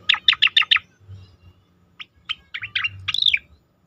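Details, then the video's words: Asian pied starling, in a training recording for competition birds, opens with five rapid, evenly spaced chirps, then scattered single notes and a twisting, squeaky, downslurred flourish; faint low hum. "khas cica koreng suara shahduh sangat bagus untuk masteran burung lomba"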